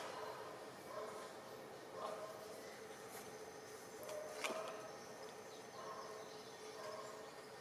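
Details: A slaty-tailed trogon in Soberanía National Park, Panama, filmed 25–29 November 2014, gives low, hollow barking notes at irregular intervals of a second or more against a steady hiss of forest insects.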